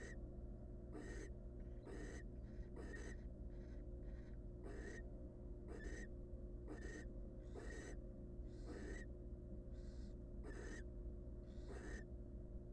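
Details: Several hungry barn owl chicks in a wild nest box beg for food, their rasping hisses overlapping and crowding together, a dozen or more bursts in quick uneven succession above a constant low hum.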